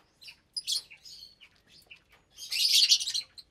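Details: Lovebirds in a shared aviary of around 25 birds at meal time, January 2023; scattered sharp chirps and a short whistle, then a loud dense screechy chatter burst.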